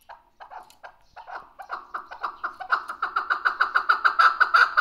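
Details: Chukar partridge, described as a lively hunting chakor, recorded June 18, 2023: a series of clucking notes that starts sparse and hesitant, then speeds up and grows louder into a rapid, steady chuk-chuk rhythm.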